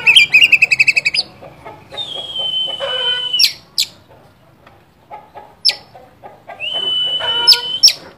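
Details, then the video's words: Oriental magpie-robin singing to provoke and excite a rival: opens with a fast buzzy trill, followed by long flat sustained whistles with harmonics, sharp vertical clicks and scattered brief notes between them. "pancingan burung Kacer gacor ini bisa mendobrak emosi Kacer anda"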